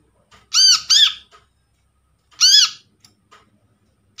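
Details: Brown-throated sunbird (kolibri kelapa) caught wild, played as a lure to prompt silent birds. Gives a quick pair of harsh, ringing arched squawks, then after a gap a single squawk, with small ticks in the background.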